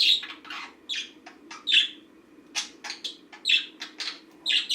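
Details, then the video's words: A pet green budgie goes through its daily routine with an uneven stream of scratchy chirps and squawky notes, some in close clusters, over a faint low room hum. "Green budgie routine"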